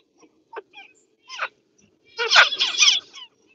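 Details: Pet zebra finch with a few short chirps, then a dense, loud, nasal burst of rapid overlapping call notes lasting about a second.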